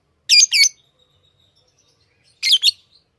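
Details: Tame lovebirds give paired loud, harsh high chirps, then a long pause with a faint thin whistle before another double chirp.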